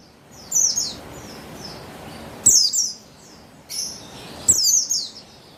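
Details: Female buxtoni Javan white-eye, recorded 3/8/21 for prompting males to sing, giving a soft twittered phrase then louder bursts of sharp, high, falling chirps about every second.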